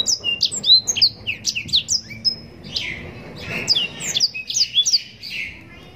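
A yellow-rumped serin sings a fast, rambling song of sweet high whistles, slurred notes and trills, with one long pure whistle near the middle.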